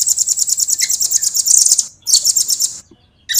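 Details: Fast, tightly spaced high trill from a velvet-fronted nuthatch, rolling on for about two seconds, then a shorter renewed burst and a final start after a pause.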